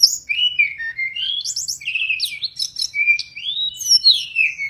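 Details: Wild mangrove blue flycatcher in full song, a continuous run of sweet rising and falling whistles and warbled twists mixed with brief high sharp notes, fluent and varied, over a quiet background.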